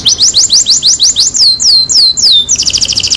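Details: Canary singing, a pancingan recording meant to prompt a quiet canary into full song: quick rising chirps, then slow drawn-out descending whistles, ending in a rapid high buzzy trill.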